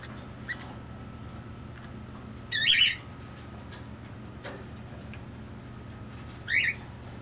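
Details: Pet turquoise (blue) green-cheeked conure, affectionate while making assorted demands: two brief, squeaky chirps about four seconds apart, with a faint tick in between, over a quiet room with a low electrical hum.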